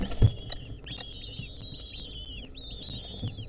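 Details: Wild lesser kestrel nestlings, filmed in 2023 as a centipede clings onto them, give overlapping drawn-out whistled calls with bright harmonics, several voices at once, after a sharp knock at the start.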